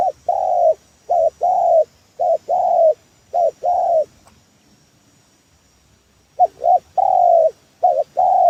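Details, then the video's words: Spotted dove lure call for trapping: a short two-part coo followed by a longer drawn-out coo, the phrase repeated in quick succession, a pause of about two seconds, then the cooing resumes; quiet background. "Suara pancingan tekukur"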